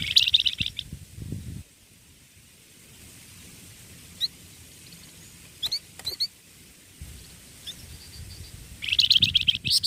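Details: A young tutor songbird sings. A rapid high twittering burst opens and closes the passage, with a few isolated sharp chirps in the quiet stretch between and low background rumble throughout.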